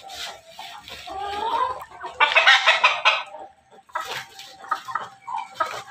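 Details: Ayam ketawa and pelung cross rooster giving a choppy crow, loud ragged bursts in the middle with gaps and rougher syllables after, plus faint background noise.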